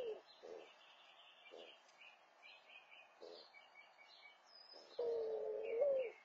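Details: Mourning dove calling at the nest to attract a mate. Several short, soft, low notes come first, then one long drawn-out coo that lifts slightly before fading. Small birds chirp and twitter higher up throughout.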